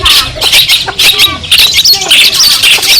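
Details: Madura long-tailed shrike (cendet) giving masteran song meant to agitate rival birds: rapid bursts of raspy, squawking notes and brief whistles packed into quick irregular phrases, about two per second, loud and unbroken.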